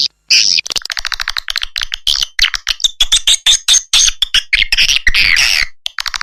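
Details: Lure recording for swiftlet nest houses, a fast, continuous chatter of harsh, squawking chirps with rich buzzy overtones, pulsing in quick succession with short breaks.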